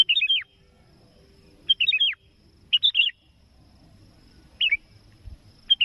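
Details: Energetic sooty-headed bulbul calling a rival, a lure for trapping: short, bright, warbled phrases that fall in pitch, given roughly every one to two seconds with quiet gaps between.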